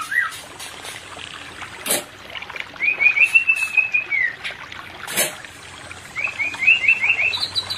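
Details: White-rumped shama song played as therapy for a pair not in breeding condition: brief whistled notes, then rapid trilled runs of clear whistles at mid-high pitch in two bursts, separated by sharp clicks and knocks.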